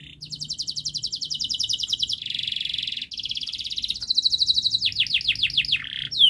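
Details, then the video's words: Canary's long, fast, closely packed song, used as a model for young canaries learning to sing. A continuous rapid trill passes into buzzy rolls, then a run of drooping sweeps and a final high whistle. "Kenari Gacor Panjang Speed Rapat Untuk Pancingan kenari Paud Agar Cepat Gacor"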